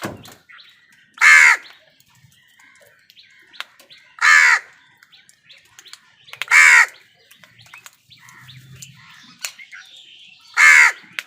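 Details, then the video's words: A crow, fighting with wild birds over food, gives four loud, harsh caws spaced about two to three seconds apart, with faint chirps of smaller birds in between. "কাকের ডাক Crow Sound"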